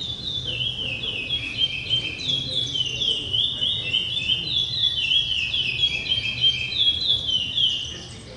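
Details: Long continuous song of a curió, or chestnut-bellied seed finch: quick high whistled slurs, rising and falling in tight succession, fading slightly at the very end.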